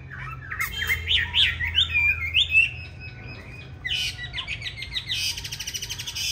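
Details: Chinese hwamei, described as green-bean-eyed, giving a fighting song meant for training other hwamei to sing smoothly: rapid varied slurred whistles rising and falling, then buzzy notes and a fast rattling trill, with a faint low hum early on.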